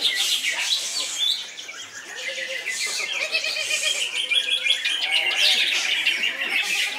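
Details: Loud, unbroken cucak ijo (greater green leafbird) song of high scratchy chatter and bursts of rapid trilled notes, with an occasional lower slurred whistle between the dense phrases.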